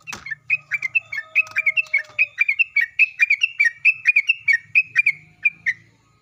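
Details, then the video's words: Sooty-headed bulbul in rapid chattering song, played as a lure to draw replies from other bulbuls: about twenty quick, sliding chirps in a steady, lively series, a soft low rustle underneath. "pancingan trucuk agar bunyi, trucuk gacor, trucuk ropel dan nggaruda"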